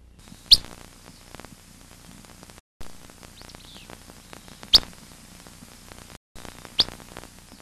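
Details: A Willow Flycatcher giving its "whit" call: three short, sharp, high notes, widely spaced over several seconds, against a faint low hum.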